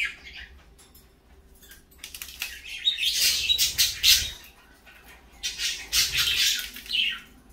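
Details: Morning parakeets break into harsh, scratchy squawks that swell into a dense, loud burst midway, then fade to scattered chirps before a second noisy outburst near the end.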